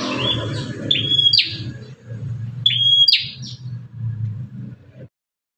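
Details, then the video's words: Bar-winged prinia, said to be fierce, with a call used to lure other prinias: two high whistled phrases ending in buzzy bursts, over a steady low engine-like rumble that continues after the bird stops. "BURUNG PRENJAK GALAK INI SUARANYA BISA BUAT MEMACING BURUNG PRENJAK LAIN"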